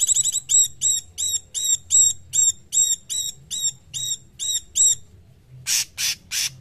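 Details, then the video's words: Cungkok bird repeats high, hooked whistled notes roughly three per second, then gives three harsh buzzy bursts, recorded as a training song for songbirds. "Masteran Cungkok"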